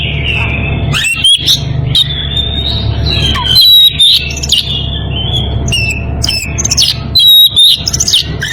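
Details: Oriental magpie-robin in breeding condition, calling a rival. Long sustained whistles alternate with brief sharp chips and rattles, phrases separated by short pauses, with a low background drone.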